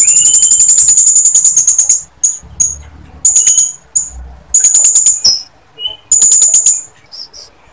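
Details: Blue-crowned hanging parrot female calling to males: long, fast stream of sharp, very high ticking chirps, then clipped bursts and a few lower whistled notes.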